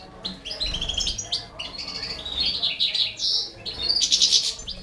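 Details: While a Balkan goldfinch feeds four baby canaries, a steady chorus of high chirps builds into buzzy, rapidly pulsed notes near the end.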